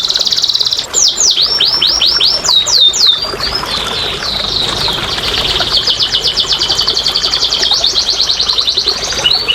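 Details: Canary song meant to encourage quiet canaries to sing: a high buzzy trill, a string of falling whistled notes, then a long rolling trill, loud and unbroken.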